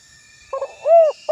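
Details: Spotted dove rival call used for luring; a soft broken note leads into one clear, arched coo, with the start of another coo cut off at the end.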